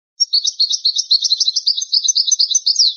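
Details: European goldfinch singing on an old, rare recording of the original goldfinch song style: one unbroken three-second stream of fast, tinkling, liquid twitters and trills, closing with a downward slurred note.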